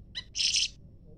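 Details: Leafbird calling back and forth with a scarlet minivet: a short, harmonic rising note is followed at once by a loud, harsh, raspy high burst lasting about a third of a second, against quiet low background noise.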